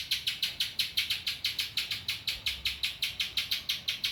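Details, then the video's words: High, sharp notes from a spiderhunter singing ciblek-filled song, evenly spaced and repeated roughly three times a second in a short steady burst. "burung pinjantung isian ciblek"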